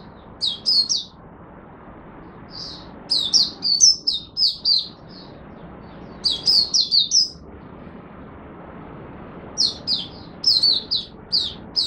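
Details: Oriental white-eye kept as a caged songbird in Singapore, singing its 'buka' opening song in humid, warm, rainy, overcast weather on 23 March 2023: repeated bursts of shrill, high, quickly jumbled chirps, several notes each, with short pauses between.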